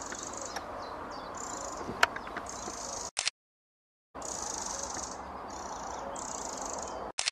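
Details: Just-fledged young Eurasian wrens, 26 May 2017, give very high, thin, hissing-buzzy notes in drawn-out bursts of about a second, over a soft rustling background with a few clicks.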